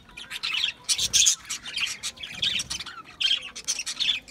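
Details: Budgerigar chatter, dense and scratchy: rapid high squeaks and buzzy warbled notes running almost without pause, rising and falling in loud little bursts.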